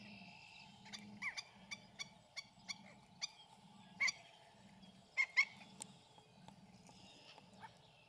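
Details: A black-necked stilt pair guarding its feeding ground against another pair calls in bursts of sharp, nasal yelps, irregularly spaced and sometimes doubled, with louder notes near the middle and a constant low droning background.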